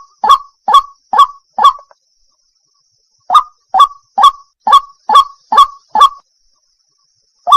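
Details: White-breasted waterhen (Amaurornis phoenicurus), call.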